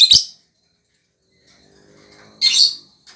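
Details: One shrill lovebird chirp, a faint low murmur, then a louder raspy high chirp and a brief final squeak.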